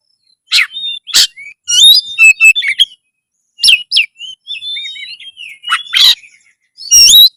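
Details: Oriental magpie-robin in loud full song, meant to raise breeding drive and fight mode: sharp bursts mixed with twisting whistles and short trills, with a pause near the middle before more phrases.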